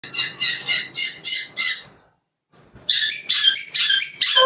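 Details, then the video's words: Young caged long-tailed shrike, a contest bird with a full mimicked repertoire delivered at fast speed: dense bursts of high, rapid chattering notes in quick repeated phrases, a brief pause with one thin whistle, then the busy high chatter resumes. "Cendet Muda Gila Ini pasti Bikin Juri Takjub – Materi Lengkap & Speed Ngebut"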